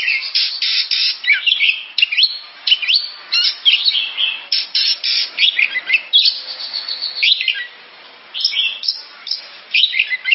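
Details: Oriental magpie-robin (kacer) in long energetic song of harsh rasping notes and sharp whistles, rapid bursts continuing with a short quiet gap near the end.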